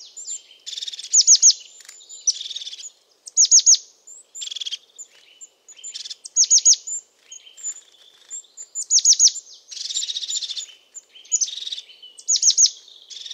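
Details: European crested tit, a resident bird of pine woods in Portugal, giving repeated high thin notes followed by purring buzzy trills, phrases coming every couple of seconds with short pauses between.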